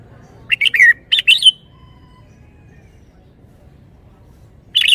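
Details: Lively, well-phrased song of a Red-whiskered bulbul: a run of rich warbled whistles rising and falling, a brief pause, then one more bright phrase starting near the end, with soft low background noise.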